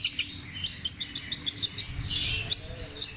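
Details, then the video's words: Java long-tailed shrike (cendet) in mimicking song of tengkek buto, kuntilanak and sparrow material, petir style: a short burst of piercing high chips spaced a few per second, ending with a brief harsh scratchy note. "CENDET INI MUNTAHKAN TENGKEK BUTO KUNTILANAK GREJA NYERET PETIR KW PANJANG2 DAN DIULANG2!"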